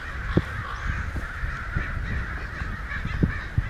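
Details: Crowd of excited crows, perhaps a hundred, mostly out of sight down a street in Santa Rosa on May 29, 2013; dense overlapping harsh cawing forms a steady din, with low thumps of wind or handling noise.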